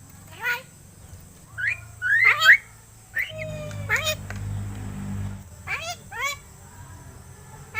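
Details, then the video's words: Seven-month-old caged myna being taught to talk gives rapid harsh squawks and bright upward-sweeping whistles in quick bursts, with a constant low hum and a short noisy patch in the middle. "MARTINEZ BIRD TALKING!"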